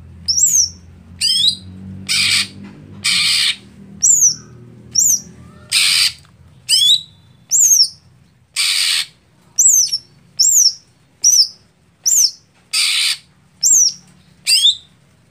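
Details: Greater green leafbird (Chloropsis sonnerati) song used as a setting for competition birds that are slow to warm up: sharp, high whistled notes swooping downward, alternating with harsh rasping bursts about once a second, over a faint low hum.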